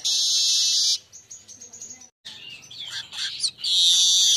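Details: Golden-headed weaver singing briskly in the middle of the day, recorded to teach other birds. A harsh, hissing buzz gives way to thin wavering notes, a brief pause, then jumbled chattering and another sizzling buzz.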